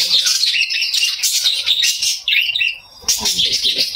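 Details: Caged lovebirds, a breeding pair kept indoors with a freshly hatched chick in a clay pot, keep up continuous high, scratchy twittering. A short pause comes before the chatter resumes, with faint low sounds beneath.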